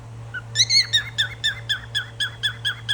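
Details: Cockatiel giving a rapid series of about a dozen short, sharp chirps, each a quick downward-then-upward harmonic note repeated roughly four times a second after a brief softer opening note, over a steady low electrical hum.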